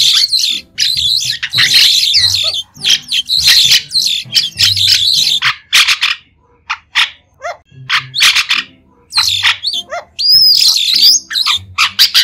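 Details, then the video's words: White-shouldered starling (Sturnia sinensis) giving a busy, varied song of harsh chatters, squeaks and clear rising whistles in bursts, with brief pauses between phrases. "Tiếng chim Sáo đá trung quốc không tạp âm | White-shouldered Starling | นกกิ้งโครงแกลบปีกขาว"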